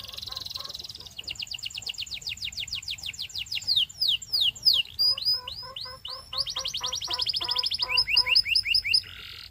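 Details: Belgian canary in full song: a buzzy rolling trill leads into fast series of descending whistled notes, about two or three per second, then sharper chopped notes and another long rapid trill, with faint low hum beneath.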